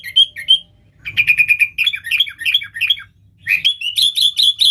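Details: Sooty-headed bulbul song used to call in wild bulbuls: two short whistled notes, then a rapid run of rolling chattering notes and a closing burst of high bright twitters, with low background hum.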